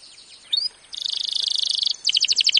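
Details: Canary training song, quieter and rougher, with a faint rising whistle, a dense buzzy trill of fast notes and a closing series of sharp doubled chirps over light background hiss.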